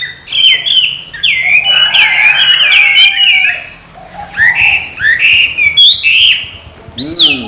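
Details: Owner-trained Chinese hwamei kept in a cage in western Vietnam sings loud, varied whistled phrases. Quick slurred notes rise and fall in bursts, then a high sweeping note ends the run. Faint voices are heard underneath.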